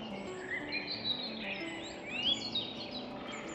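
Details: Wild birds singing near Weingarten as spring approaches, heard on a hike: a busy tangle of bright whistled chirps, sweeping up and down, from several overlapping birds, over a soft low steady hum.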